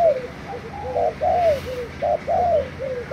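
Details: Thai spotted dove used as a decoy, dated 3 March 2018; soft, mellow cooing with a rhythmic run of brief and extended hollow notes, several strong coos spaced under a second apart over faint background noise.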